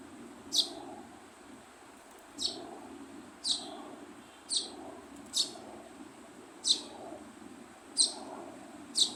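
A young sparrow gives sharp, high chirps about once a second, each a quick downward-sweeping note, over a low steady background hum.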